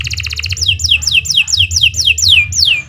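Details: Canary in a speedy song phrase: a quick stuttering rattle, then about eight evenly spaced, clear whistles, each sliding sharply downward, over a low rumbling hum.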